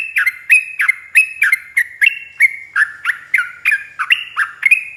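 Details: Yellow-vented bulbul singing in the long 'ropel' style from a training recording for caged birds. Loud, punchy chirps in a brisk, slightly uneven series, each note swooping, some with a harsh squawky edge.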